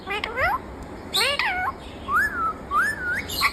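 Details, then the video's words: Green rose-ringed parakeet said to talk "Mummy Mitthu": harmonic, voice-like syllables that rise and fall, followed by two smooth, arching whistled notes. "Mummy Mitthu bolne wala parrot"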